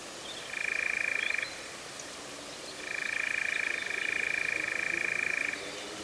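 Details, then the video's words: European Nightjar in the Cefn Ddu forestry, North Wales, UK, in the first recording of 2026. Two sustained dry mechanical trills, one about a second long, then a longer one of nearly three seconds, over soft steady background hiss. "First Nightjar recording of 2026 in the Cefn Ddu forestry, North Wales, UK"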